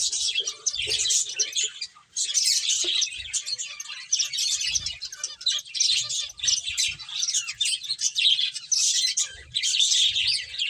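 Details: Several finches chirp busily while playing. High, sharp tweets pour out in nearly unbroken bursts, dipping briefly into near-silence around the two-second mark before resuming, with faint low knocks scattered throughout.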